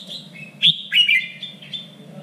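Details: Red-whiskered bulbul phrase used in contest training: a thin whistled lead-in, then a loud rich warble swooping down, trailing softer notes, with a low hum under it.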